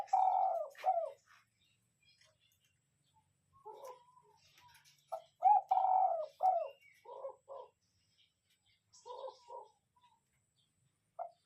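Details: Spotted dove used as a lure bird, giving loud, husky, low coos: a long rolling coo, then short paired croo notes and another drawn-out coo, separated by quiet gaps, with faint chirps of other small birds in the background.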